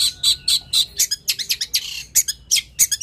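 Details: Long-tailed shrike, known locally as cendet or toed, singing very actively: a fast chatter of harsh, scratchy high bursts, about a dozen in three seconds, with brief gaps between them.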